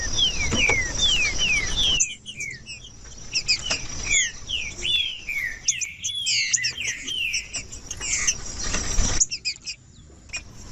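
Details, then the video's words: Trinca-ferro, the green-winged saltator, singing in a recording for warming up cold tournament birds: a quick series of falling whistles, a pause, then a long flowing stretch of looping whistled notes over steady high hiss. "TRINCA FERRO CANTANDO"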